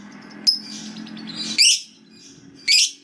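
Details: Lovebird, fighter type, in long ngekek song used to spur silent lovebirds into singing: a sharp high note followed by two loud, rasping, buzzy bursts a second apart, with a faint low hum beneath.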